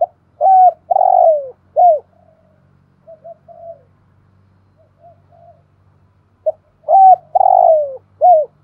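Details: Spotted dove kept as a decoy, 'thổ' voice, calling. Two loud three-note coo phrases about six seconds apart: a short hoot, a long drawn note falling at the end, then a brisk final coo. Soft murmured coos come between them over a faint hum.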